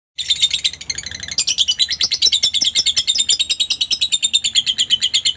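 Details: Lovebird calling, played to provoke quiet lovebirds into answering: a dense, continuous high-pitched chatter of rapid shrill notes, pulsing several times a second and growing louder and busier after the first second.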